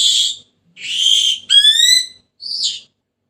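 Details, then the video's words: Senegal parrot: a raspy screech, a longer harsh call, then a clear whistle that sweeps upward, ending with a short squeaky note. "تغريد ببغاء السنيغالي the sound of the parrot senegal"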